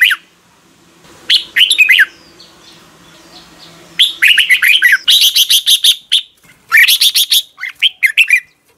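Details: A red-whiskered bulbul sings energetically in the morning, recorded to train other bulbuls: repeated bursts of sharp, chattering warbles and looping whistles, some phrases run close together, others broken by short pauses.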